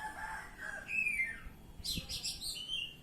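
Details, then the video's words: Oriental magpie-robin (kacer) in ngeplong song: a descending whistled slur, then a dense burst of sharp, high, scratchy notes ending in a clear whistle, over faint background noise. "Kacer Ngeplong"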